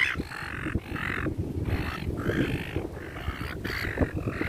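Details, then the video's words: Seagulls crowding in a park during feeding give drawn-out nasal squealing calls in four or five separate bursts over steady low background noise and scattered thumps. "FEEDING THE SEAGULLS IN THE PARK/ SEAGULLS SOUND EFFECT"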